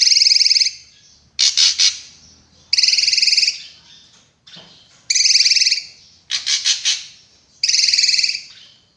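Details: Drongo giving sharp, harsh song: loud buzzy rattling notes about two-thirds of a second long alternate with short stuttered triple bursts. The phrases repeat every second or so with brief pauses between them.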